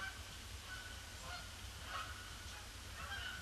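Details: Canada geese, a large flock arriving on a gloomy, grey Boxing Day and circling the pond before landing; faint, scattered honks rise above a steady low rumble of background noise.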